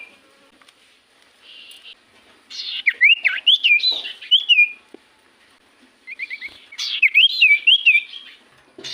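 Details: Common iora lure song to make silent birds sing back: two bursts of lively zigzagging whistled notes rising and falling quickly, with short buzzy notes between and brief pauses.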